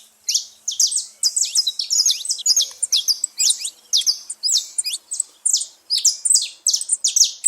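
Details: Saffron finch making a lot of noise at a feeding place: fast series of high, bright chirps and clipped notes repeated almost without pause, in a clean, quiet setting.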